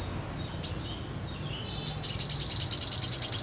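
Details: Vigorously singing sogon: two isolated sharp high chips, then a steady, rapid trill of pulsing high buzzy notes repeated about three times a second, continuing to the end.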